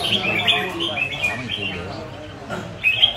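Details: Kept red-whiskered bulbul singing brief whistled notes, faint at first and louder in a short burst at the end. Quiet human talk runs through the whole recording.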